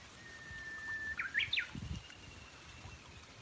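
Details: At a backyard feeder, a Brown-eared bulbul calls with three quick piercing squeals that swoop up then drop. A faint steady whine runs behind, with a few soft low thumps nearby.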